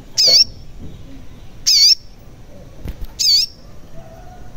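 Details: Crimson sunbird (sogon) sounds used as a lure for silent birds. Three loud harsh wavering squeaks come about every one and a half seconds, with quiet background between them.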